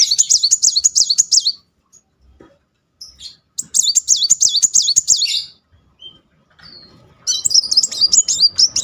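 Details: Caged-type muncang sunbird singing a rolling song, used as a lure to stir a silent bird: three bursts of rapid, high, wavering trills, each about one and a half seconds, with short gaps between them.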